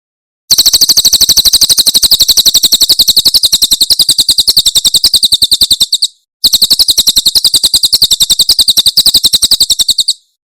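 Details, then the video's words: Cililin 'tembakan' song of a Javan prinia, recorded very cleanly as a master for training songbirds: two long bursts of fast, metallic, high-pitched ticks, the first nearly six seconds and the second about four, separated by a short pause. "Masteran Tembakan Cililin SUARA SUPER JERNIH"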